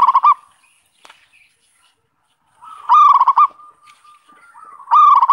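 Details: Zebra dove lure song: repeated phrases of rapid, staccato cooing separated by quiet, steady low coos, with a brief click in a pause.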